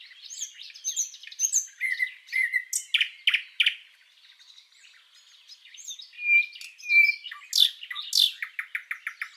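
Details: Singing common nightingale, used for tutoring cage birds: varied whistled and chirped phrases, a short quiet pause, then clear level whistles, two sweeping notes and a fast run of repeated ticking notes.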